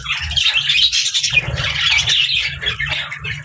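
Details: Several budgerigars living with lovebirds squawk and chirp in a tight, continuous stream of rasping, high twitters, with a faint low hum behind.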